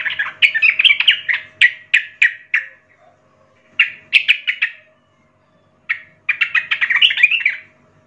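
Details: Young wild-caught Sooty-headed bulbul singing, used to train young birds to sing: bursts of short, harsh chattering notes in quick runs, about three phrases with pauses of roughly a second between, over a faint steady hum.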